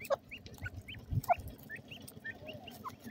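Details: Golden ringneck pheasant chicks calling in a quick series of about a dozen short rising cheeps, roughly one every quarter second, against low background rumble and a few soft thuds.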